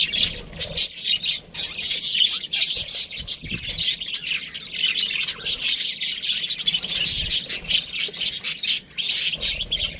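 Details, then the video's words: Domestic budgies chatter continuously, a dense, buzzy stream of high chirps and rapid warbles running almost without pause. "cute budgie chirping sounds"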